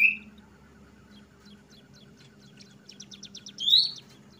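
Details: Oriental magpie-robin, kacer trotol, singing ngeplong style: a short high whistle, a quiet stretch with faint ticking, then a quick series of short sharp notes running into a loud rising whistle near the end. A steady low hum lies underneath.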